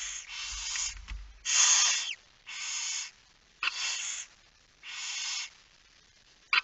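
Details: Barn owls at a nest in Friesland, Netherlands, recorded at night on 10 September 2019 at 22:45 during feeding; broad harsh hissing screeches about half a second to a second long, repeated with short gaps.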